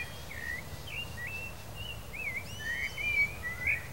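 A male Blue Dacnis gives thin, high, wavering chips, about two a second and brighter toward the end, over a steady low rumble.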